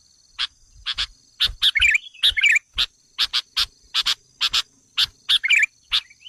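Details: Sooty-headed bulbul luring call aimed at wild bulbuls: crisp single and double chips at uneven spacing, with three brief chattering, slurred bursts in between, on a quiet background.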